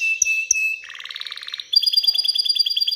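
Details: Excited canary singing to stimulate females to mate and build a nest: a steady high whistle with short notes, then a fast low buzzy trill, then a bright repeated note series, about three per second.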